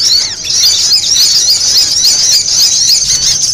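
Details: Spiderhunter calls, used as a bird-luring sound: a constant, shrill, high-pitched chatter of rapid, sharp notes that runs without pause for the whole stretch.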